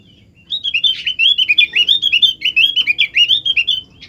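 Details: White-eye song meant to encourage other birds to sing: a continuous, fast, high-pitched twittering warble of rolling chirps, about a dozen notes per second, with a faint low background hum.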